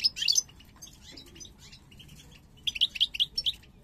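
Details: European goldfinch pair, subspecies parva, 2022 birds coming into breeding condition and showing snake-like heads. A loud, bright twittering phrase opens, then softer chirps, then a rapid run of about six ringing, liquid notes.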